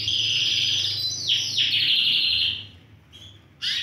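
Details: Healthy caged Yorkshire canary of Romeo colour, one of four birds in full song, holds a long rapid buzzing trill broken by two downward swoops, then falls quiet before a final short burst.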